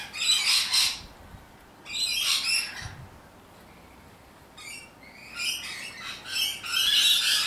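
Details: Rainbow lorikeets, wild parrots in Australia described as loud and obnoxious, give harsh, raspy screeches in bursts of about a second, separated by short quiet gaps.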